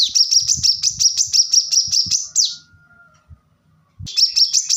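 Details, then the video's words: Plain-throated sunbird, locally manggar or kolibri kelapa, in rapid training song for cage birds: a fast even series of high sharp notes ending in a downslur, a quiet pause with faint low knocks, then the series resumes. "kolibri kelapa | manggar | wiceh | korlap gacor tembakan rapat"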